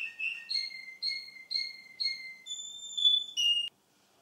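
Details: Russian canary male, same bird heard two months later, giving a pure whistled song: a series of level double-toned notes repeated every half second, then two longer high whistles and a lower closing note before silence.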